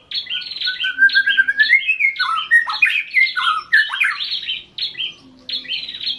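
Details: Intense song from a white-rumped shama, an Indonesian hobby bird: dense high whistles mixed with harsh, scratchy squawk-like notes and a rising slurred whistle, almost continuous.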